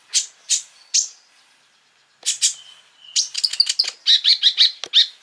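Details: Sunbird (kolibri ninja) singing for a lure recording that provokes other sunbirds: a few spaced high chips, a pause, then a fast twittering run of bright clipped notes.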